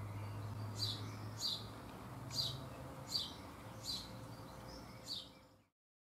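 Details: A baby bullfinch feeding in a garden in June 2015, one of perhaps four or five young: soft, short, high chirps repeated roughly every 0.7 seconds, six in all, over a faint low hum.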